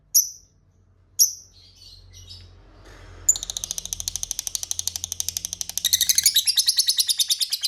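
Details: Lovebird ngekek call played as a lure so rival lovebirds answer: two sharp chirps, then from the middle a long rapid ratcheting chatter of high buzzy notes, growing louder toward the end.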